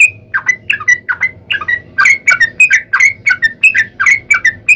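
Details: Yellow-vented bulbul song, a chatty 'gacor' lure for other bulbuls; loose series of gurgling doubled notes and short whistled slurs, speeding up in the second half, with a steady low hum behind.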